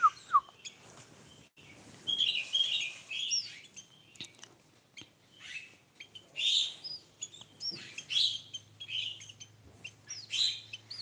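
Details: Tame Sooty-headed bulbul singing bursts of bright, bubbly whistled phrases with sliding notes, separated by short pauses, over a faint low hum.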